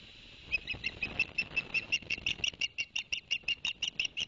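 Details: Osprey recorded by a live nest camera at Barnegat Light on 11 September 2021, after the male delivered two fish for the young: rapid regular series of high sharp whistled chirps, roughly three per second, over faint hiss.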